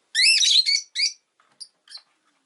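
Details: Rosy-faced lovebird chirping in a rapid, twittering burst of high, warbling notes, followed by a shorter phrase and a few soft, scattered peeps trailing off into quiet.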